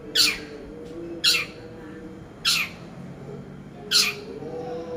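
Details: Long-tailed shrike used as a training lure, giving four loud, harsh, rasping notes, each a short downward-sweeping burst, spaced about a second apart over a faint steady hum.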